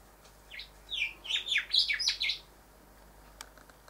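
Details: Rufous whistler (Pachycephala rufiventris) male singing at a house window while admiring his reflection; a quick run of bright, sweeping whistled notes, rising and falling, about eight notes in a burst lasting under two seconds.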